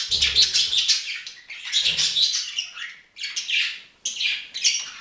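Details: Pet budgerigar warbling in quick, buzzy chirp clusters separated by short gaps, high and scratchy, with a low thump near the start and around the two-second mark.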